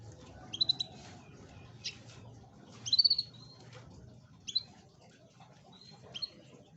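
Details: Canary song used as a lure to coax a lazy canary into singing: sparse, high, sharp whistled chirps and short trilled notes spaced about a second apart, over a low steady hum.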